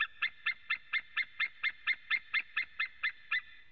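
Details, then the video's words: Calling male white-tailed eagle, with another male also calling, captured by a Latvian eagle webcam at 14:12 on 23 September 2017: about fourteen strident, yelping notes in quick, steady succession, nearly four per second. "Raimis is calling- another male too"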